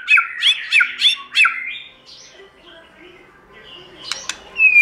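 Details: White-rumped shama song in the wild-voice style: four loud, fluty, looping whistles in quick succession, then near quiet with faint twittering and one rising whistle at the end.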